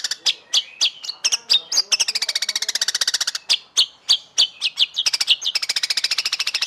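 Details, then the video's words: Murai batu, or white-rumped shama, kept for song contests and singing the style said to win judges' notice: spaced loud slurred notes, then a fast stuttering chip trill, a few separate notes, and another dense trill. "Masteran Burung Murai Batu Paling Di Lirik Juri"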